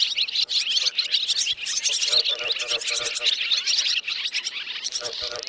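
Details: Dense swiftlet roosting chorus, as used to lure the birds into nets; buzzy high chirps overlap constantly, with short clicking bursts pulsing through.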